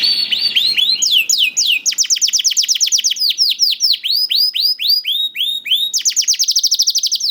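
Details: Caged young canary singing, meant to prompt reluctant canaries: high sweeping whistles over faint background noise, then long rhythmic trills of looping notes, speeding up near the end.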